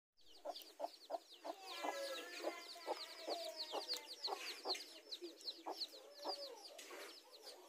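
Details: Mother hens in a garden with newly hatched chicks, said to be meeting to fight over territory: short low clucks repeated irregularly under a steady stream of high, thin, descending chick peeps.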